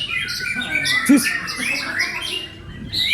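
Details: White-rumped shama from Indonesia singing a rich, varied run of whistled and buzzy phrases, with rapid slurred notes and sharp upward sweeps; a low murmur sits beneath the song.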